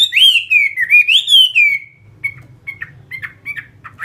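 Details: Chinese hwamei, a captive fighting bird, gives one long, smooth, wavering whistled phrase that falls and rises, followed by scattered short clipped notes over a faint low rumble.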